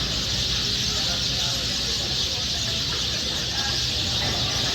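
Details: A huge flock of sparrows beside a highway in Jharkhand, near Ranchi and Jamshedpur, makes a dense, unbroken wash of high chirping over a low rumble, likely traffic.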